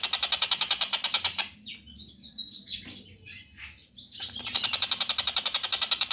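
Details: Young long-tailed shrike with rapid pulsed chattering that breaks into a jumble of scratchy chirps and squeaky notes, then resumes the quick rhythmic rattle.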